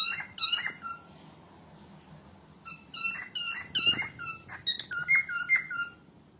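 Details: Female cockatiel calling, offered as training audio for cockatiels: clusters of rich, buzzy downslurred notes, a short burst, a silent gap, then a longer run of quick repeated calls with some clicks.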